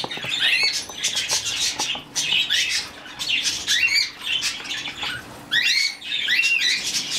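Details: A rescued budgerigar chick raised by hand calls in bursts of sharp, rising and falling squeaks, with brief pauses between the busy runs of chirps.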